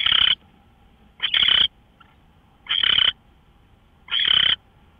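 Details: Early-morning owl, March 24, 2013 at 5:27 a.m., producing four grating, noisy screech bursts spaced about one and a half seconds apart, with a very faint brief note in one gap.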